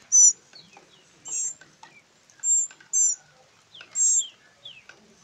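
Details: Three rescued northern mockingbird chicks, hand-raised for rehabilitation and release: five loud, very high, harsh hissing begging bursts spaced irregularly over five seconds, with faint thin chirps and soft rustling in between.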